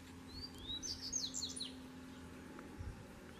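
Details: Wild Double-collared seedeater, one of two singing within their territory: a brief phrase of two rising whistles followed by fast, high twittered slurs, then quiet.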